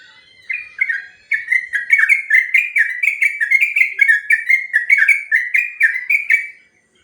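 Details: Long 'ropel' song of a sooty-headed bulbul, a master recording meant to train other birds: rapid run of rolling, slurred whistled phrases, roughly three notes per second, steady in pitch, lasting about six seconds before stopping.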